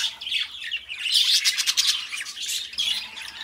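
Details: Two pet budgies warbling together: busy, scratchy chatter of quick chirps and harsh squawk notes, steady throughout with brief louder bursts near the middle.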